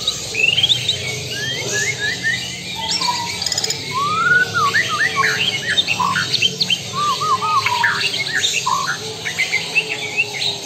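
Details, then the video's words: Lampung white-rumped shama in full song, a long, varied run of loud whistles, down-slurred and up-slurred phrases and quick chattering notes, the bird mixing in lower arched whistles, delivered almost without pause against a faint background hum. "Murai batu Lampung Super XBL"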